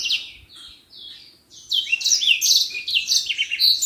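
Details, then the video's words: Common iora, a cage bird recorded as a model for others to learn from: quiet sliding whistles, then a loud dense burst of rapid buzzy and whistled notes, about two to three per second. "Burung Senger gacor buat masteran"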